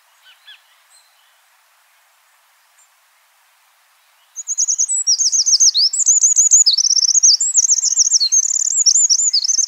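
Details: A few faint high chips, then four seconds of near silence, before a wild Eurasian wren bursts into a loud, rapid, high-pitched song of tumbling trills and sharp twittering notes.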